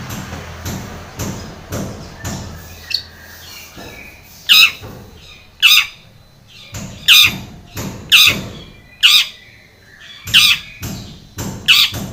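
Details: Long-tailed shrike in lively song, used as a lure to provoke a silent shrike into singing: harsh, buzzy squawks repeated about once a second, with a faint hum and quieter rasping notes early on.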